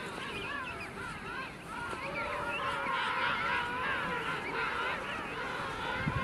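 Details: Many king penguins (Aptenodytes patagonicus) at Fortuna Bay, South Georgia, calling at once: a dense chorus of trumpeting, warbling honks that rise and fall, overlapping continuously over a low rumble.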